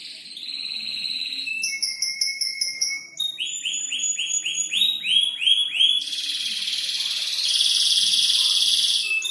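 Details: Caged canary singing a varied song: high whistled notes and fast repeated trills switching every second or so, ending in a dense buzzy rattle.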